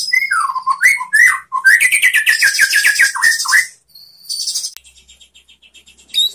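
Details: White-rumped shama song used to teach other shamas: varied whistled slurs, then a rapid series of rising notes, followed by a thin high buzzy trill fading out.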